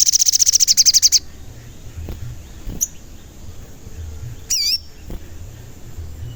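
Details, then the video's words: Crimson sunbird, a lively singing bird used to lure wild or caged birds into calling and agitation; a fast run of about a dozen very high, sharp chirps, then two isolated thin wavering notes. "Pancingan Sogon Agar Bunyi dan Emosi"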